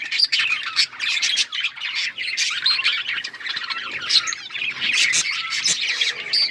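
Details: Budgerigars chirping and chattering: a busy mix of rapid warbled chirps, squawks and trills from several birds, overlapping continuously with sharp loud peaks, in a flock setting.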